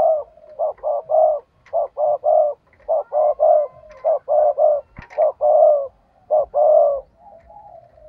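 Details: Spotted dove kept as a decoy bird, calling to stir up and lure wild doves, in the 'giọng thổ' voice style; a dense run of mellow, low cooing notes, short and long coos packed together with brief gaps, over eight seconds.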